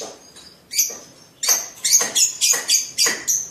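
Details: Young sibiru lovebird at the mastering stage: quick series of shrill high chirps, roughly three or four per second, each bright and slightly rasping.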